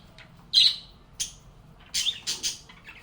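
Lovebirds give shrill, harsh squawks and chirps in uneven bursts, a sharp one first and then a quick cluster of scratchy notes near the end.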